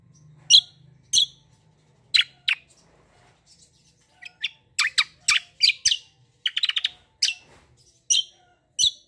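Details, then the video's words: Black-winged myna singing a fighting-style rolling song. Separate loud harsh squawks and rasps are spaced about half a second to a second apart, with a burst of rapid noisy notes near the end. "CUCAK KOMBO TARUNG NGEROLL GACORR"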